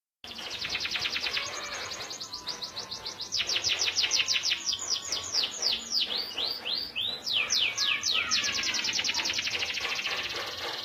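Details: Local canary singing a long continuous song of rapid repeated chirps and downslurred whistles, fast trills running several per second with changing phrases, over a steady background hiss and low rumble.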